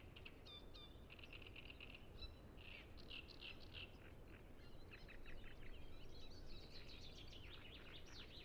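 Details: Great reed warbler chorus on the Lake Peipus shore at Ema-Joe Suursoo Natural Reserve, Zoom F6 with Sennheiser MKH 8040; quick series of scratchy, churring notes and a few clear squeaks, several birds overlapping above low-frequency noise.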